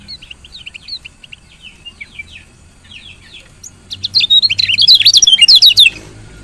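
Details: Female lemon-bellied white-eye chirping, used to stimulate lazy males into singing: a series of short high chirps, then a louder burst of rapid, buzzy twittering notes in the last two seconds.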